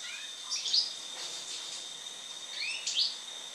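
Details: European goldfinch after moult singing: two short bursts of sharp, high twittering notes separated by a quiet gap, over a steady high-pitched whine.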